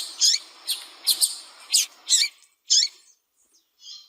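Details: Female double-collared seedeater calling repeatedly to stimulate a cold male to sing: a run of short, bright, high chirps about every half second, fading to softer notes near the end, in quiet surroundings.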